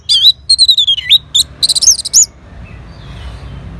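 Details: Orange-headed thrush answering a lure sound with loud, varied whistled phrases: a wavering high note, descending slurred whistles, then quick bright rising and falling notes packed into rapid bursts before a quiet tail.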